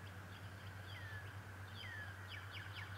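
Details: Bald eagle, the adult male of the Decorah pair, recorded 11 March 2018: long, thin, descending whistled squeals followed by a short run of quick, high chittering notes, all above a constant low electrical hum.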